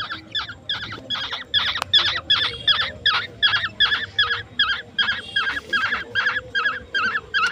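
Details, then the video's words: Hand-raised baby birds, yellow birds and koel chicks, begging during a night feeding of grasshoppers at home: a steady series of harsh, buzzy chirps, roughly two or three per second, evenly spaced and strong throughout. "Feeding baby birds at night [ Holdi Pakhi & Kokil pakhi ]"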